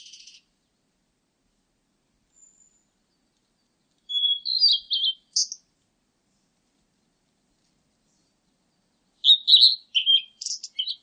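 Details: Blue-and-white flycatcher song with long silent gaps: a short, high whistled phrase of a few slurred notes, then about five seconds later a longer, jumbled burst of warbles and high chips.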